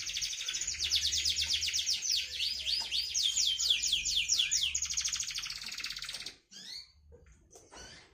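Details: Young pet canary about three months old, kept as a tutor bird for long rolling 'ngriwik' song; six seconds of dense, rapid high trills with shifting notes, then a sudden silence and a few scattered upward chirps.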